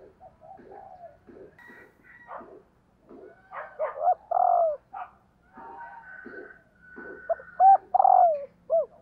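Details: Female spotted dove calling to excite males. Soft overlapping coos and higher tones fill the background. Two loud phrases of clipped notes, a burring coo and a falling final note rise above them about four seconds apart.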